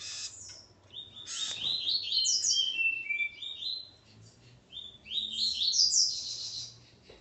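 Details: Male coleiro (double-collared seedeater) and his female: a dense, continuous stream of high twittering, buzzy slides and sharp chips in two long phrases, with a faint low background drone.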